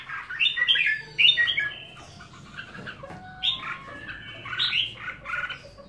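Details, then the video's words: Red-whiskered bulbul kept at home singing bright, bubbly whistled phrases in quick clusters, several bursts of rich warbling notes separated by brief pauses, other faint chirps behind. "Chào Mào"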